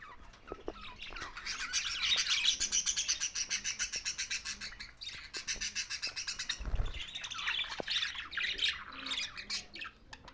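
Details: Budgerigars chirping in a continuous high warble over a fast pulsing rattle, with a brief low thump midway and chatter resuming afterward.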